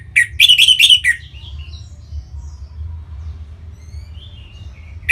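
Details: Orange-headed thrush song used to prompt other birds into song: a short, dense cluster of sharp, bright chirps, then fainter thin whistles trailing off against a low background hum.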